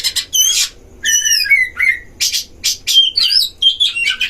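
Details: Oriental magpie-robin duel in a breeding cage, played to provoke other magpie-robins: a scratchy burst, then a sweet falling multi-note whistle, followed by clipped harsh chips and short high whistles.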